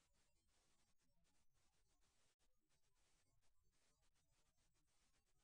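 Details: Very faint hiss and soft scratching with a brief dropout, and no animal calls.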